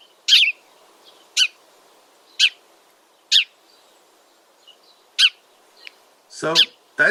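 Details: House sparrows (Passer domesticus), noisy gregarious birds, give loud, bright chirps about once a second, then a quicker burst of overlapping chirps at the end, over a faint low hum.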